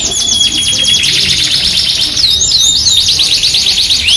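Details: Yorkshire canary singing energetically as a masteran lure for training canaries: dense rapid rolling trills high in pitch, a thin sustained whistle running beneath, then looping downslurred notes rushing into fast buzzy trills.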